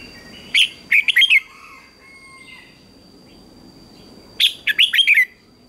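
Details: Morning contest singing by a red-whiskered bulbul: two bright phrases of four to five rapid, slurred whistled notes, separated by about three seconds of quiet with faint soft chirps and a thin steady high tone.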